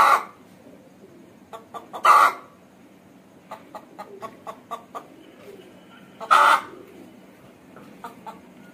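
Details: An Aseel hen gives two harsh, brief squawks a few seconds apart, with scattered quiet clucks and ticks in between.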